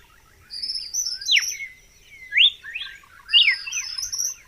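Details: Song of a red-cowled cardinal, unedited natural sound: loud downslurred and upswept whistles mixed with softer twittering notes, delivered in a few quick phrases.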